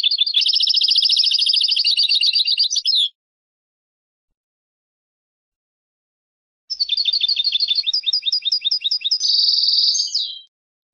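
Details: European goldfinch song in two long bursts separated by a few seconds of silence: rapid, chattering trills of high liquid notes, the second burst ending in a buzzy sustained trill.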